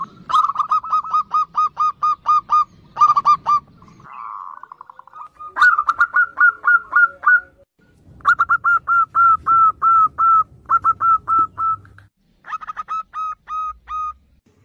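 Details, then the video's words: Lure zebra dove, actively singing to prompt others: repeated phrases of rapid hooked coo notes, eight to ten per run, broken by a soft rolling purr and short pauses. "PERKUTUT GACOR syahdu buat Kelangenan Pancingan Perkutut Bahan"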